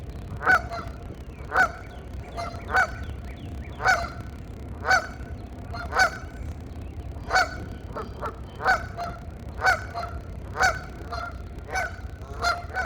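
Geese honking, loud nasal honks repeated about once a second, sometimes doubled, over a low background rumble.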